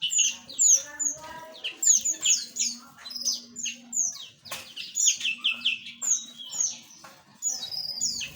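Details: Mixed small aviary birds in a busy chorus: quick high chirps and downslurred tweets tumbling over one another, with a soft low hum running underneath.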